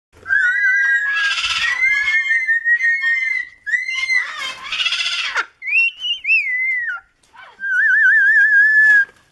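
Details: A Moluccan cockatoo whistles clear rising and falling tones ending in a warbling trill, mixed with harsh, raspy voice-like bursts, and says hello, with a sulphur-crested cockatoo kept alongside it.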